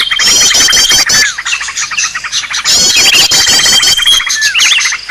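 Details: Agitated Green leafbird chatter used to lure birds: rapid trilled notes stacked high, a thin sustained whistle through parts, then looping slurred whistles toward the end.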